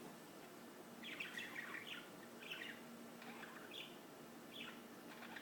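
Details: Singing birds: short, faint chirping and warbled phrases repeated about once a second over steady low background noise.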